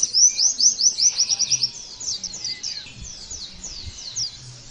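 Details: Oriental white-eye, kept as a songbird, delivers a quick run of about a dozen sharp high chirps, then slower, softer twitters trailing off; faint low thumps beneath.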